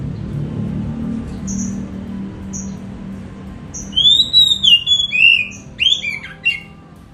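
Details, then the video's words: A caged Oriental magpie-robin in the morning, just after its bath, starts to sing rich, varied whistles, sweeping and slurred phrases, after a few short high notes, over a low background hum. "Wah, dia sudah mulai berkicau."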